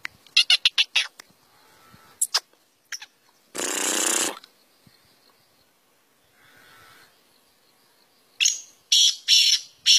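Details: A black francolin (Francolinus francolinus) gives harsh, rasping notes in short clipped bursts, clustered at the start and end, broken by a loud burst of noise.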